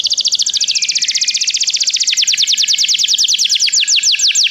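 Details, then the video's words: Canary song used to encourage a canary's singing: continuous fast trill of short repeated notes, slightly slowing and becoming sweeping toward the end, over faint background noise. "O som de um canário é eficaz para o seu canário cantar"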